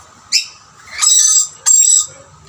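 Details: At shared snack plates, rainbow lorikeets squabble as a dominant male chases intruders away: a short shrill cry followed by two long, harsh, grating screeches, loud and close.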